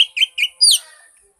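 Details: Oriental magpie-robin song played as a lure to get a silent bird singing: a few short, loud whistled notes, then a sweeping higher phrase, brief and clean with no other sounds.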